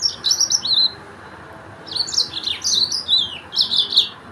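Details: Mozambique Yellow-fronted canary delivering two bursts of sweet warbling notes and slurred whistles separated by a pause of about a second.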